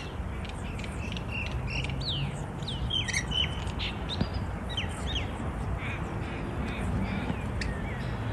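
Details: Wild rainbow lorikeets visiting a balcony in Melbourne, Australia, in 2024, chattering and bickering: a busy run of short, shrill, squeaky notes, some sliding downward, scattered over eight seconds above a steady low rumble.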